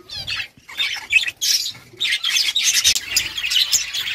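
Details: Budgerigars chattering in a dense, fast warble of scratchy chirps and squawky notes, almost without pause, with brief gaps near the start.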